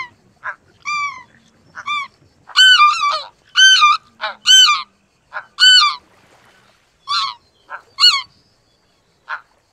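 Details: Clear, high, yelping honks of a greater white-fronted goose, often in quick pairs or triplets, repeated about once a second with short silences.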